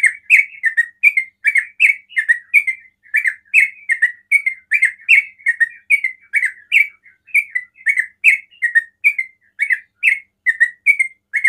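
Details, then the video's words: Sooty-headed bulbul singing in the rapid ropel style said to provoke other bulbuls into calling: a steady run of short, bubbly chattering notes, roughly two per second, repeated without pause for the whole stretch. "TRUCUKAN ROPEL PANDAI BIKIN TRUCUKAN LAIN TERPANCING BUNYI"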